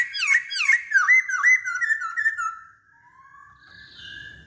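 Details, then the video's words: Masked laughingthrush (poksay Hongkong) delivering a fast run of loud swooping whistles, about five dipping notes in two and a half seconds, fading into quieter level whistles and a soft high note. "Burung Poksay Hongkong Gacor"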